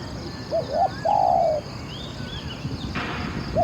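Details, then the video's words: Spotted dove phrase from a decoy-luring session in which twelve wild doves were taken. Two short rising coos lead into one long, steady, mellow crooned note. Thin distant chirps and a brief rustle follow. "ออกต่อนกเขามหญ่ เจ้าหลิ่วคารมหนุนขัดเปลี่ยน อ ช้าง เสียงดีมาก"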